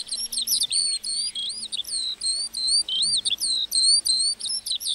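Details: Song of a lark over a meadow, a steady flow of sharp high chirps and slurred whistled phrases, closely packed and varied, with barely any gaps.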